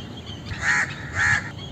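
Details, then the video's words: Indian crow uttering a pair of drawn-out, harsh caws roughly half a second apart, coarse and nasal in tone, with light background hiss. "Indian Crow Sound"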